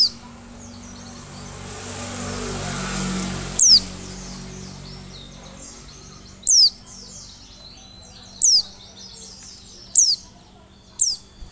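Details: Oriental white-eye calling to lure others. The opening is steady hissing background noise. Then come five piercing high notes, each sliding down, spaced about two seconds apart.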